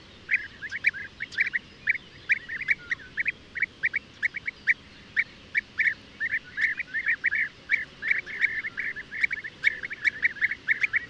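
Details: European bee-eater calling: a steady stream of short, rolling, purring notes at mid pitch, given in quick irregular bursts, some notes doubled, with a faint background hiss.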